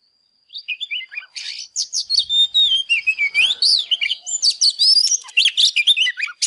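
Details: Oriental magpie-robin in 'căng lửa' fired-up song while dancing, played to get other birds singing: a steady opening whistle and descending notes, then a dense, fast medley of sweeping whistles and chatters, growing louder.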